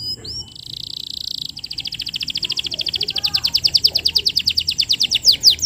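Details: Canary lure song for teaching young canaries to sing: a brief whistle, a steady buzzing roll, then a long trill of clipped notes accelerating and growing louder, closing with sharp chips.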